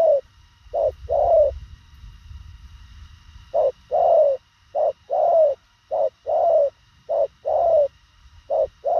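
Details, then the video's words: Fast-cooing thổ khàng spotted dove giving a long run of paired hoots. Each short clipped note leads into a longer falling coo. The phrases come in quick succession after an early pause, over a soft low hum. "Thổ khàng tốc độ gù bá cháy, ngắn gọn xúc tích"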